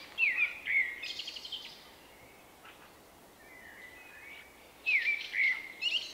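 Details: Shy male common blackbird, March 2024, repeating his distinctive song: a fluted whistled phrase with a twittering tail, a quiet pause of faint notes, then the same whistled phrase again.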